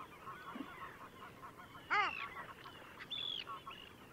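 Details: Long-tailed duck at Liepāja, Latvia, January 2024: one loud nasal, down-bending call near two seconds, then a thinner higher note a second later, over distant faint calling and a low rushing background.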